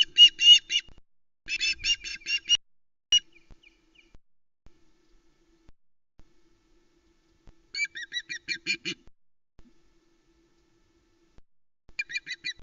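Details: Osprey female at the Loch Arkaig nest, 1 September 2020, squawking around a delivery of a live flatfish by the male; three clusters of rapid harsh chattering notes separated by long quiet stretches with faint ticks.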